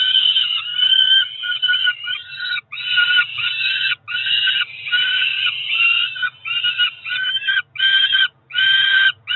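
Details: Peregrine falcon young near four weeks old, a pair of ringed nestlings in Cromer, England, begging through a June breakfast feed; long raspy wails broken by short gaps, overlapping and uneven, some calls stretching two seconds, others clipped short.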